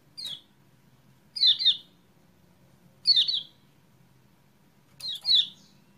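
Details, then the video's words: For stirring a reluctant kecial kuning to sing: four high chirps about every one and a half seconds, the first single and the rest quick doubled notes sliding downward, over low hum. "PANCINGAN CEPAT GACOR UNTUK KECIAL KUNING MACET"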